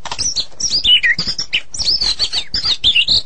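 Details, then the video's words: Medan white-rumped shama in energetic 'gacor' song: a fast, high run of thin chirps and downward-slurred whistles, packed tightly with barely a pause. "Murai Batu Medan Super Gacor"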